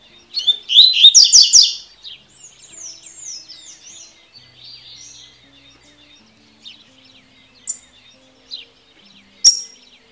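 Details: Double-collared seedeater of the 'tui tui' song type, a recording for training birds: a rapid burst of bright, buzzy slurred notes, then softer trailing phrases and a few sharp high chips.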